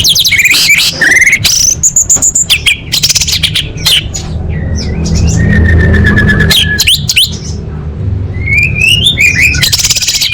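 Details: Female orange-headed thrush calling males, a lure for quiet birds: varied loud phrases of whistles, chirps and harsh chatter, a long flat whistled tone midway, and rising whistles near the end, over low rumbling background.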